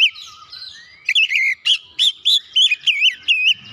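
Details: White-rumped shama singing to stir other shamas into song, with soft twittering followed by a loud series of rich, wavering whistled notes given in quick succession.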